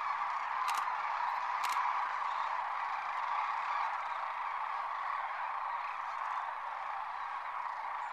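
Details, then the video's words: Sandhill cranes by the thousands at their winter roost at Whitewater Draw near McNeal, Arizona, taking off: a dense, continuous chorus of rolling, overlapping calls forming a steady wall of sound, with a couple of brief sharp clicks near the start. "Sandhill Cranes Liftoff"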